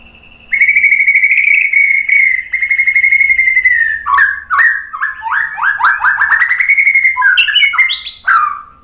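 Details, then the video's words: White-rumped shama singing as a lure to draw responses from other birds: a long, sustained clear whistle followed by rapid, varied, fluty warbled phrases with sharp upslurs. "suara MURAI BATU bikin cepat NYAUT jadi GACOR"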